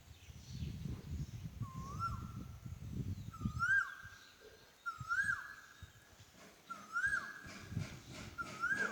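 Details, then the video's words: A cuckoo gives clear, mid-pitched whistled notes that swoop upward and then level off, repeated about every two seconds, over low wind rumble at the start. "Sound of a cuckoo"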